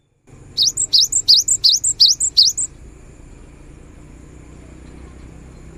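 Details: Energetic cinereous tit song for prompting quiet birds to sing: seven clear, high whistled phrases, each a fast upward sweep with a trailing short note, delivered in a regular series, then faint low background hum.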